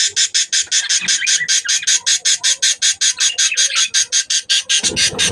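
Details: Breeding budgerigars give a steady, insistent stream of coarse, buzzy pulses, about three per second, ending with a low thump.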